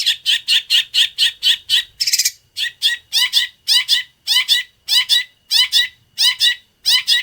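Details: Long-tailed shrike song used as training material for other shrikes, in a full sparrow-imitating style: bright, rapid chirps repeated about twice a second, with one harsher buzzy burst early on, and no other sounds.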